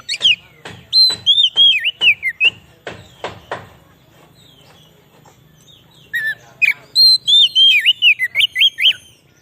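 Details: Oriental magpie-robin song used to lure wild magpie-robins in the forest and to excite caged birds: bursts of sharp clicking notes mixed with looping high whistled phrases, a quiet pause midway, then a fresh run of rapid whistles over a low hum.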